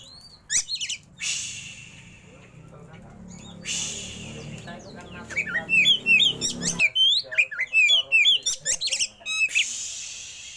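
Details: Caged oriental magpie-robin in a rich varied rolling song: brief sharp notes early, a noisy stretch, then a fast run of loud whistled, swooping and trilled notes over about four seconds, ending in a hissy burst.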